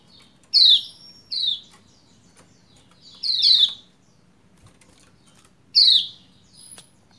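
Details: Female white-eye of the Lombok form calling the male to encourage singing: a series of five harsh, downward-slurred chirps in loose pairs and singles, with scattered light clicks around them.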